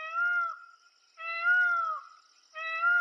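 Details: Peacock calling, its cries said to come before a thunderstorm or rain: three loud, sharp wailing notes, each about half a second to a second long, with rich harmonics and a slight rise and fall, separated by short pauses.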